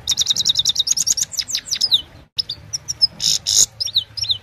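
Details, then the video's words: Himalayan goldfinch in evening song, phone-recorded: a rapid even series of high repeated notes, then slurred downward twitters, a short break and scattered buzzy chirps. "Gold finch simple singing this is really amazing bird song"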